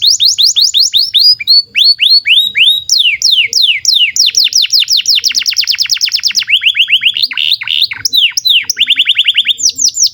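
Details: Long, loud canary song for training young birds and birds that have stopped singing: chains of sweeping whistled notes repeated in quick succession, changing to tighter fast trills and back to dropping swoops.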